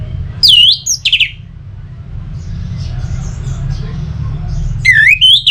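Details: Orange-headed thrush song meant to stimulate singing in kept birds: two bright whistled phrases with dipping slurs, a lull filled with soft distant chirps, then another strong swooping whistle, all against a low background hum.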